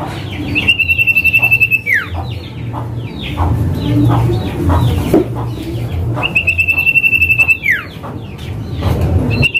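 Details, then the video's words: Common iora (cipoh) male in the 'calling name' call, used as a lure for a silent bird; two long buzzy pulsed trills each dropping into a swoop, with many short falling whistles between them over low rumble. "Cipoh Manggil Nama"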